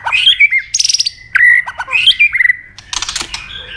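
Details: A White-rumped shama gives its fighting song to provoke a rival: buzzy high trills, clear level whistles and sharp clicks in quick alternation, ending with a harsh rattling burst.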